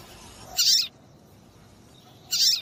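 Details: Female double-collared seedeater (papa-capim) calling, used by breeders to excite males into singing for song tournaments; two short, harsh, high-pitched chirps about 1.7 seconds apart over quiet background hiss.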